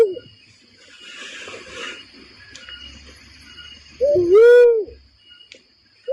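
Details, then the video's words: Barred cuckoo-dove trapping lure call: after soft background murmur and hum, one strong low coo, a rising lead-in note flowing into a drawn-out falling hoot. "SUARA PIKAT BURUNG UNCAL LORENG / MERPATI HUTAN"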